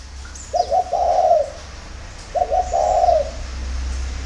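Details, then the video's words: Spotted dove singing in the early morning in Vietnam: two coo phrases about two seconds apart, each two short notes then a long drawn coo, over a steady low hum. "CU GÁY SÁNG SỚM"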